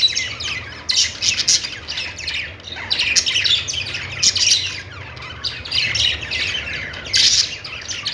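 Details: Parakeet chirping: a flock of budgies giving loud clusters of sharp, high tweets and warbles roughly every second or two, with quieter chatter between and a soft low drone underneath.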